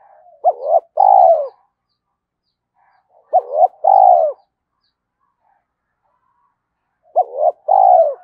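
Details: Spotted dove calling to get decoy doves cooing quickly, three low phrases spaced about three seconds apart, each clipped short notes leading into a longer, slightly falling coo, otherwise quiet.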